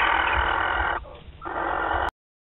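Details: Barn owls at Théding, France, on 28 February 2021 as their courtship begins: a harsh, hissing screech of about a second, a brief break, then another screech of just over half a second before silence.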